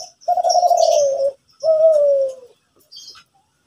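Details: Zebra dove from Kelantan in full morning song: two long, burry, trilled coos, each sliding slightly downward, followed by a brief faint coo and a few high chirps.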